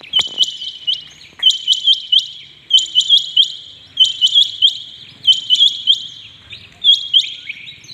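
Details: Rain quail calling early in the morning: high, metallic double and triple notes, repeated in quick bursts about every second and a half throughout, with quiet background.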